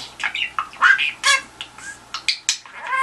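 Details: Budgie indoors calling at the telephone to elicit a response, giving short harsh squawks and chirps about twice a second, irregularly spaced, some with ringing harmonics.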